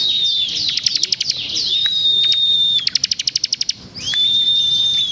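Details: Bar-winged Prinia singing energetically with dense, rapid bursts: sustained thin high whistles broken by quick rattling series of crisp ticks, one run of about ten notes, then a renewed level whistle.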